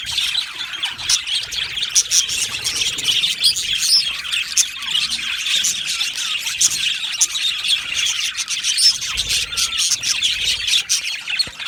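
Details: Budgerigar colony in an aviary: a dense, continuous wall of high chirps, warbles and short squeaks from many birds at once, steady throughout with no pauses and no other clear sounds.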